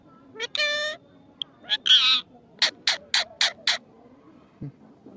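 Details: Talking parrot giving a drawn-out nasal harmonic call, a brief rasping phrase, then a run of five quick clipped syllables, with a faint low hum underneath.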